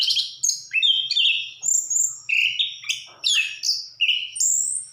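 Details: Vigorous anis kembang, the orange-headed thrush, delivering loud whistled phrases in short bursts about every half second, mixing steady clear notes with sharp downward slurs.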